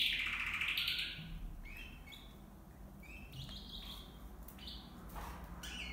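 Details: Copper mosaic canary, caged with two males and two females in a flight cage, opens with a loud warbled, dipping phrase, followed by scattered short chirps and soft trill fragments.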